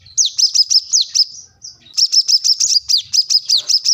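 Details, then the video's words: Vocal plain-throated sunbird challenging a rival: repeated high, thin notes, each a quick downward slur, delivered in rapid series, pausing briefly midway before resuming even faster. "kolibri kelapa | wiceh | manggar | korlap gacor mencari lawan"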